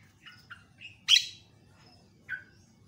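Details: Javan myna tutoring song, varied and meant to excite other mynas: soft short chirps, one loud harsh rasping squawk, then a brief descending whistled note after a pause.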